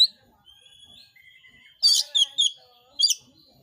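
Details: Oriental magpie-robin, or kacer, sound used to provoke other magpie-robins into singing. Faint drawn-out whistles lead into loud rasping churr bursts, three close together then one more after a short pause.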